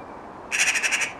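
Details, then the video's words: A jackdaw that has visited its human friend daily for four and a half years mimics a magpie: a fast, harsh chatter of about seven rasping notes in just over half a second, over faint background hiss. "jackdaw copying crows and magpies"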